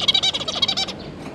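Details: Zebra finches, a pair and three young, recorded 9 June 2022: a brief, fast series of nasal, buzzy chattering notes lasting about a second, then quiet.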